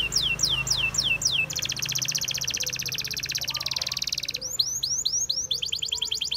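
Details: Wild canary song: a few falling whistled slurs give way to a long, fast, rolling trill, then more descending whistles and another quick trill.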